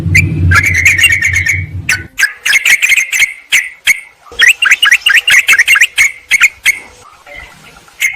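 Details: Sooty-headed bulbul calling a rival, played to attract wild birds. A low rumble opens under a sustained note, then clusters of quick bubbly chatter follow with pauses, fading toward the end.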